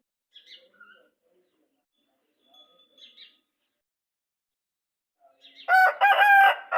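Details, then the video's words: Brown Aseel rooster crowing: after a few faint distant calls, a loud harsh crow bursts in near the end, rich in stacked harmonics and held for over a second. "Aseel Rooster Crowing | Brown Murga Ki Azan"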